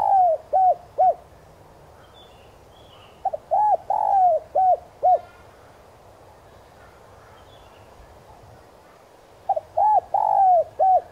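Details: Spotted dove, a decoy bird cooing in the clean 'giọng son' voice style to lure and provoke wild doves. Two bouts of low, hollow coos, short notes then a longer drawn note, separated by a few seconds' pause. Faint high chirps of other birds.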